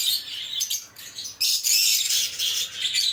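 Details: Chirping lovebirds: bursts of sharp, high, squeaky chatter, short pauses near the start and a louder sustained run of overlapping tweets from the middle to the end.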